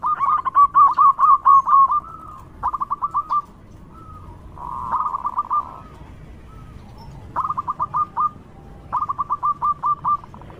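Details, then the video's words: Loud local zebra dove song meant to lure other doves: repeated bursts of fast staccato cooing notes, each burst about a second long, with quieter longer coos between them. "Perkutut lokal gacor suara lantang super ampuh untuk pancingan"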